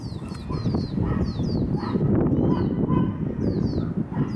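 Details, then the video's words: Lesser goldfinch fledglings, two young birds, asking their parent for food in front of a house; high, thin descending slurred calls repeated in quick bursts above loud low-pitched ambient rumble. "Lesser goldfinch fledglings being fed"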